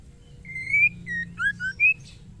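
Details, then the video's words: Ketrekan call from a female white-rumped shama seeking a male: a rising drawn whistle, a shorter note, two low dipping slurs and a clear rising whistle, over a faint low hum. "SUARA KETREKAN MURAI BATU BETINA GACOR MEMANGGIL JANTAN"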